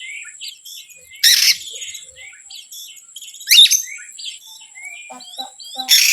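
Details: Oriental magpie-robin lure song meant to provoke other birds, made of short high whistles, slurred rising notes and loud harsh bursts repeated every few seconds over a steady high background whine.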